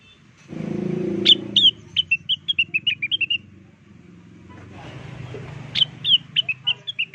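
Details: Blue-winged leafbird lure song that birds are said to answer straight away; a low rumbling noise comes first, then a sharp rising note opens a tumbling series of whistles, repeated after a noisy gap.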